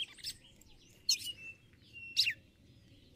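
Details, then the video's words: Ticulau calls of a female red-cowled cardinal calling the male: three sharp, falling chirps over a constant low rumbling background noise. "Fêmea de galo de campina chamando e macheando ticulau pra esquentar o macho"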